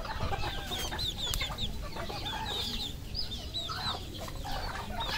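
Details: Farmed red junglefowl in Cambodia, many birds calling at once: quick high chirps and downward-slurred peeps pile up over a rough, noisy low background, with occasional sharp clicks.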